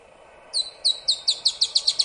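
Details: Dusky-tailed antbird (Drymophila malura), Rio Grande do Sul, Brazil, 4 October 2016, sings a quickening series of about nine high, sharp notes, each slightly louder and closer together, over a faint low hum.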